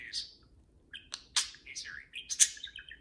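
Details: Conversing pet parakeets trade quick chirps and wavering warbled notes, about one call per second, with soft room noise underneath.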